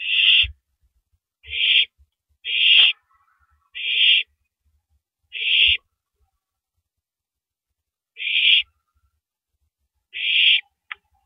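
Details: Nest-camera owl eating a big rabbit in the early hours of April 9, 2012, 3:33 AM; seven harsh hissing bursts at irregular intervals, then a short click at the end, with occasional faint thuds.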